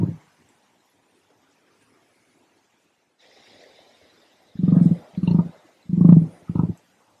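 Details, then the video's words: At Secret Creek Cafe in Lithgow, NSW, one of two captive emus gives a brief low thump, a quiet pause, then four deep, resonant booming grunts in quick succession, each about half a second long. "The Sound of the Emu"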